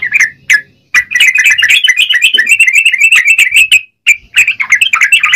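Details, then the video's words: Yellow-vented bulbul singing lively and continuously, a rapid chattering run of bubbly whistled notes after two short opening chirps, briefly pausing before resuming the busy warble. "Burung trucukan gacor..!!"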